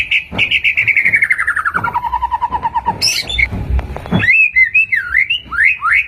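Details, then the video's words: White-rumped shama (murai batu) song, used as a lure to make shamas respond: a fast rattling trill sliding steadily downward for about three seconds, a brief harsh burst, then a run of loud, clear, rising and falling whistled phrases. "Suara Burung Murai Batu"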